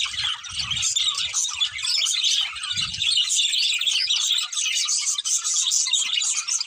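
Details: Budgerigar pair chattering steadily, a bright stream of rapid overlapping twittering and scratchy chirps that runs unbroken, with a couple of soft low knocks early on.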